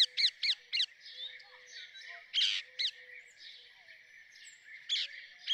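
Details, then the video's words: Rose-ringed parakeet producing a rapid series of strident, rasping screeches, several in quick succession, then scattered louder squawks amid softer chatter and a steady high background buzz. "Rose ringed parakeet Song ! Rose ringed parakeet Call ! Rose ringed parakeet Sounds !"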